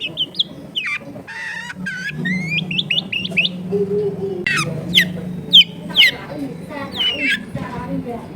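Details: Long-tailed shrike singing a 'gacor full isian' song, a rich, clear song full of mimicked phrases, used as a bait to spur other shrikes to sing: varied whistles, upslurs and chattering notes over a low steady hum.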